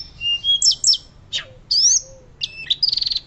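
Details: Loud, fluting song of a hill blue flycatcher, offered as a teaching master for other birds: separate high whistled phrases with sharp downward slurs, ending in a quick even series of bright notes.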